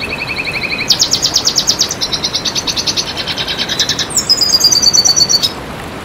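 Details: Red siskin song: a short, steady double-tone phrase, then a burst of fast buzzy pulses running about four seconds, finished with a clear, high, slightly descending whistled trill.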